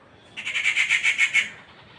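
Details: Rufous treepie giving a harsh call: a quick series of about seven rasping, squawky notes lasting around a second, evenly spaced, with quiet background noise.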